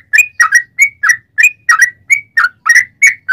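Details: Clean, close yellow-vented bulbul song used to stir rival bulbuls to sing: short liquid whistles, some drawn out with a rising tail, spaced in quick uneven pairs.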